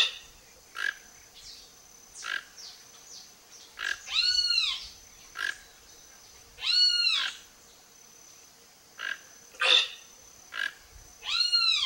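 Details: Toco toucan (Ramphastos toco) feeding on Cecropia fruits gives rough, harmonic croaks about every three seconds, with sharp clicks between them over a steady high insect drone.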